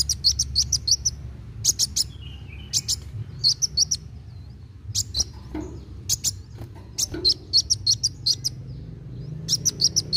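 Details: Kolibri wulung sunbird singing actively (gacor), played to stimulate young birds to sing; bursts of sharp, very high chirps and ticks in quick clusters, about three per second, with pauses between groups over low background hum.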